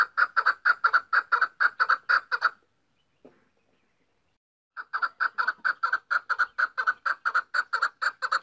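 A female chukar gives fast runs of dry, clucking chuk notes, about five a second, in two bursts split by a short pause. No other sounds are heard.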